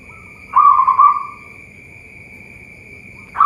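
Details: Local zebra dove at a Boyolali bird farm in Central Java, Indonesia, giving one short, low, bubbling coo that fades away. After a pause of about two seconds, the next coo begins at the end, over a steady high background tone.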